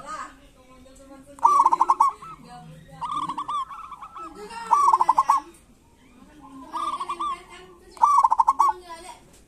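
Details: Several local zebra doves sing kerot and bekur phrases to prompt silent doves to sing. Loud rattling trilled coos repeat about every one and a half seconds, with lower murmuring coos beneath them.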